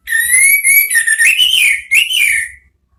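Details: Orange-headed thrush (anis merah) singing ngeriwik-style: a continuous run of clear whistled notes that rise gradually with wavering slurs, about two and a half seconds long, then quiet.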